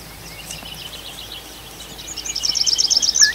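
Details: Night-time forest bird song in Arkhangelsk Oblast during June: faint distant notes at first, then a fast, high, pulsing trill grows louder, ending with a couple of lower whistled slurs.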